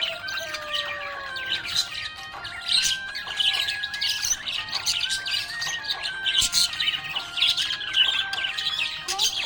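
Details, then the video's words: Continuous bright budgie chatter, scratchy twitters and short squawks, set against steady melodic tones like background music, described as happy chirping. "Happy budgie chirping sound"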